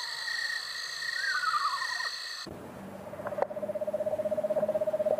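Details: Eastern Screech-Owl nighttime call, its most common vocalization: a descending, quavering whinny, then a long steady trill on one low pitch, rapid pulses about four per second; faint steady tones hum behind.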